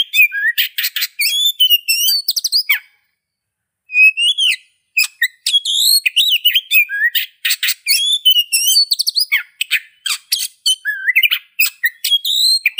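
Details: Long, rambling Oriental magpie-robin song: fluty whistles, rising slurs and rasping notes poured out almost without break for nearly thirteen seconds, with one short pause near the start.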